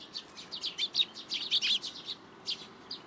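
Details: Sparrows flying into a plum tree at a Tenmangu shrine for food, June 2022: a lively burst of high, twittering chirps from several birds, thinning out toward the end.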